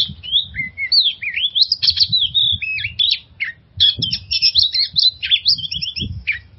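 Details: Oriental magpie-robin song used to coax stressed birds into singing: a rich, varied run of whistled phrases, slurred rising and falling notes and quick trills, delivered almost without pause, with faint low rumbling beneath.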